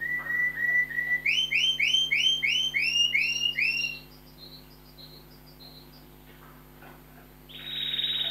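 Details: Pet canaries kept indoors in a study sing a quick series of bright, rising whistled notes, about three a second, then softer scattered notes and a closing buzzy trill over a faint hum.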